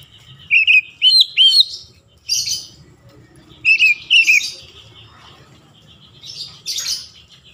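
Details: Oriental magpie-robin song used to provoke other magpie-robins: two short groups of looping, slurred whistles, each followed by a harsh rasping note, then a longer scratchy burst near the end.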